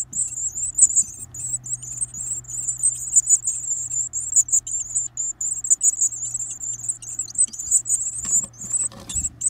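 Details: Varied tit chicks begging as they are fed, greedily stuffing their beaks: a dense, unbroken stream of shrill, high-pitched twittering chatter throughout, with a low steady hum beneath and a few soft knocks near the end.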